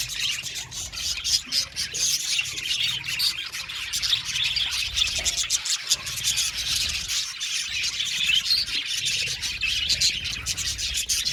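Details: Constant high twittering from many budgerigars in an aviary colony, with scratchy chirps layered thickly over one another throughout.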